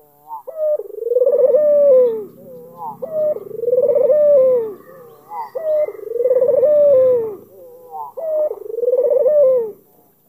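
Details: Four steady rounds of cooing, about every two and a half seconds, from an albino black-collared Barbary dove in Kalimantan baiting a rival to call; each round has a short high note and then a throbbing coo that drops.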